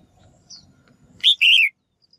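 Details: Female bird's call, used to spur males into lively singing: one sharp high chirp followed at once by a longer, slurred, descending note, with a faint thin whistle and low background murmur beforehand.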